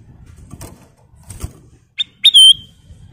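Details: Golden bulbul (kutilang emas) in a cage, recorded to train other songbirds: low rustling and clatter, then a short whistle followed by a loud, sustained, clear whistled note.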